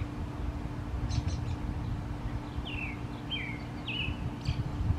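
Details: A male American robin singing gives a few quiet, slurred, downward-sweeping notes about every half second, with soft high chips, over a steady low rumble and hum.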